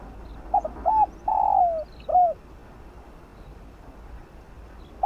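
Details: Fast 'field voice' song of a spotted dove, meant to excite decoy birds: brief stuttering notes lead into a short coo, a drawn-out rolling coo dropping in pitch, and a final curved coo, then silence.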